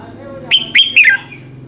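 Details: Red-whiskered bulbul giving its morning song, played as a lure to make other bulbuls sing; a single phrase of three clear whistles, level then falling at the end, over a soft low hum.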